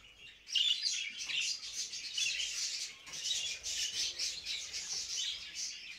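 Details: Budgerigars giving mating calls, a continuous dense warbling chatter of many overlapping chirps and squeaks.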